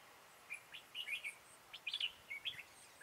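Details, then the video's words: A trapped red-whiskered bulbul sings beside a decoy bird on 13 October 2018; rapid, cheerful warbled notes in two short bursts, clear and high. "Bẫy chào mào Hàng Xòe đuôi hết bản"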